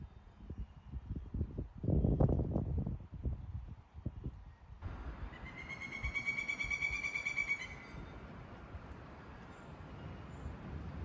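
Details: A Cooper's hawk in Appalachia in April, in spring, gives a harsh, nasal call held for about three seconds, after low rumbling and handling noise with steady background hiss.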